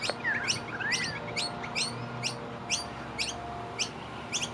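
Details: Two young noisy miners, fed by their parents in early spring on 17 August 2023 at Keperra, Brisbane, Australia, scramble for food and beg with sharp, high, downward chirps, about two a second, with a brief softer rising whistle behind.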